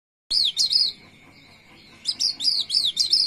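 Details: Javan white-eye (Zosterops flavus), a protected species said to be declining, singing in its roll style: two bursts of rapid, high, twittering notes separated by a pause, over a steady thin high-pitched tone.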